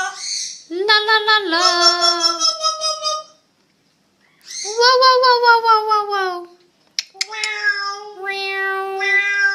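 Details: A pair of parrots playing at an exotic bird hospital, giving long harsh, nasal, voice-like drawn-out calls that waver and slide, in three bouts separated by short silences, with a sharp click before the last.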